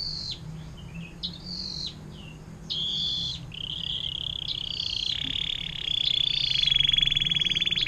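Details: Canary singing 'air mancuran panjang', a long fountain-water style song for tutoring other songbirds. Short sweeping chirps repeat about once a second, then merge into a sustained, intensifying buzzy trill.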